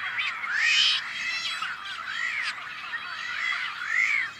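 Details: Tricolored Blackbirds nesting on a farm in California's Central Valley, May 2012, giving loud, nasal, arching calls that rise and fall, roughly one every second, over a busy backdrop of many more birds calling.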